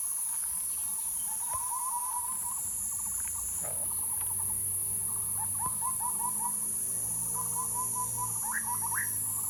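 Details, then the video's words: Bird giving quick runs of short mid-pitched notes, some bursts rising slightly at the end, separated by gaps, against a constant shrill background whine and a low droning hum. "bird sounds"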